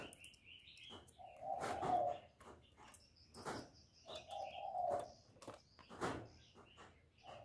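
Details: Spotted dove lure call for trapping: two sustained, mellow coos about three seconds apart, amid repeated sharp clicks and faint high chirps.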